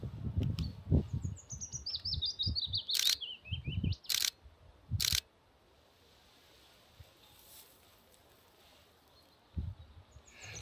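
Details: A Willow Warbler, a very busy bird flitting between branches, sings its sweet, liquid phrase cascading gently downward over about two seconds in deciduous forest in Norway in early spring; loud camera shutter clicks and low handling rumble follow.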